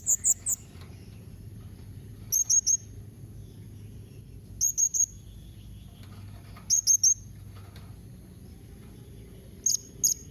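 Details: Blue-crowned hanging parrot call used to get other hanging parrots to respond: short, high, piercing notes in clusters of two or three, repeated roughly every two seconds, over a steady low background hum.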